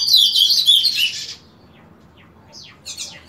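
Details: Painted bunting singing during its daily 7 am morning song: a brief, high, rapid warble fading out, followed by a few soft descending chip notes.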